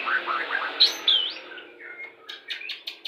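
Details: White-rumped shama singing, played to bring a pair into breeding condition: soft warbled notes and two sharp high whistles, fading to quieter scattered chips.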